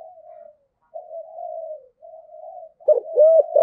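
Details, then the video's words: Spotted dove in the 'giọng thổ' voice style calling to lure: long, drawn, slightly wavering low coos, then a rapid run of short hooked coo notes near the end, in a quiet setting. "cu gáy giọng thổ, cu gay giong tho cuc dinh gay gọi"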